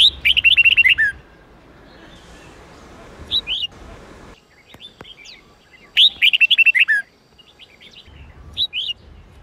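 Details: Red-whiskered bulbul singing an 8-9-10-note training song for young birds: two bursts of about nine quick, ringing whistles six seconds apart, each followed by a short paired note and quiet gaps.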